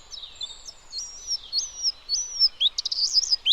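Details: Bluethroat song of high, thin whistled notes that rise and level off, repeated several times, followed by a quick burst of sharp metallic chirps.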